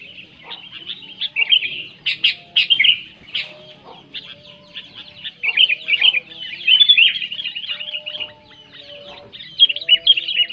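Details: Sooty-headed bulbul giving loud song meant to start quiet bulbuls singing: sharp, bubbly phrases in bursts with short gaps, plus faint lower whistled tones in the background.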